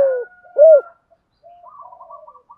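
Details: Spotted dove decoy cooing in the 'giọng thổ' style to lure wild doves: one clear, low, arched coo after a fading note, followed by faint, thin, higher tones.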